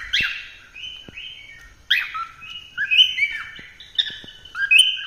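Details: Melodious cockatiel song of repeated warbled whistles and chirps, short phrases following each other with brief pauses, some notes sliding downward, clean background.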